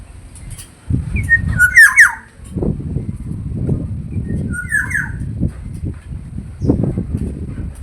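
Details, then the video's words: Black-naped oriole, said to be common across Indonesia: a brief fluty whistled phrase followed by a second softer slurred whistle a few seconds later, against continuous low rumbling background noise with occasional thumps. "Suara burung kepodang jawa"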